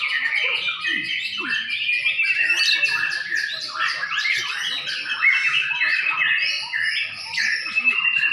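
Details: White-rumped shama in competition at Sidareja, Indonesia: fast, varied song of sharp whistles, chips and warbled trills poured out without pause, with a few faint lower sounds early on.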